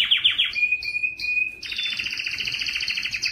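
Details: Yellow canary song opening with rapid falling notes, then short whistled pieces, leading into a dense, loud two-toned rolling trill.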